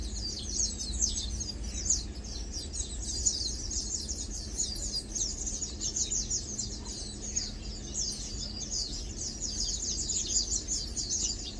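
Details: Continuous high twittering from Lowland white-eyes at rest, feeding and preening: many thin, overlapping chips and short slurs form an unbroken chatter for over ten seconds, with faint low background noise.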